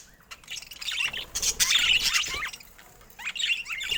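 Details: Colorful budgerigars chatter in a rapid, scratchy warble of high chirps that swells to a loud burst, pauses, then resumes.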